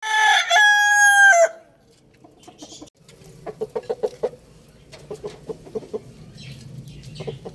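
A rooster gives a loud, harmonically rich crow lasting about a second, then a run of short, quick clucks follows.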